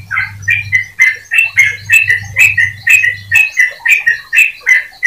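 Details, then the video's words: A canary sings a fast, continuous run of bright warbled and trilled notes, about two phrases a second, with a low hum underneath at first; the song is played to stimulate other canaries to keep singing. "Suara Burung Kenari Untuk Memancing Kenari Agar Tetap Gacor"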